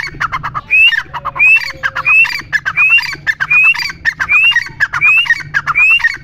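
Grey francolin giving loud, harsh rising notes that repeat well over once a second, mixed with rapid scratchy chattering; a faint low hum lies underneath.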